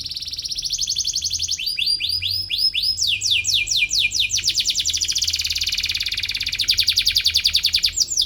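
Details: Atlantic canary singing to challenge a rival, a recording for teaching young canaries: continuous high rolling tours, a steady whistled trill changing to arched repeated notes, then rapid buzzy and chattering trills.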